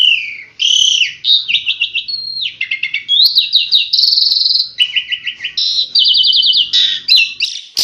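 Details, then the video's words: Tembakan song from an Asian pied starling (jalak suren): falling whistle, then stacked trills, buzzy rattles and stuttered note series, each phrase shifting pitch, delivered fast and loud. "Masteran Jalak Suren Tembakan"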